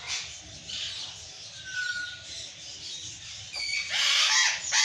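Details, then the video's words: Burrowing parrot (Patagonian conure, Cyanoliseus patagonus) screaming: harsh, grating screeches, with a brief thin whistle partway through, ending in a loud raucous burst near the close. "Patagonian conure parakeet|barrowing parrot"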